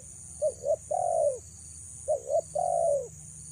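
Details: Luring call of a female spotted dove: two phrases, each of two quick short coos and then a long wavering coo that drops at the end. A faint high hiss runs throughout.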